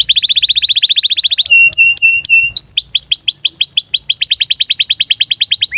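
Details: A canary in breeding condition sings for young canaries to copy: a rapid rolling trill, several long flat whistled notes, then a long run of quick rising sweeps repeated several times a second.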